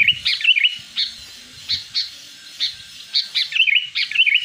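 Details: Sooty-headed bulbul in the wild, recorded as a lure for wild birds: lively chirpy phrases of short rising and falling whistles, some notes loud and clustered, others spaced half a second apart, over faint low hum.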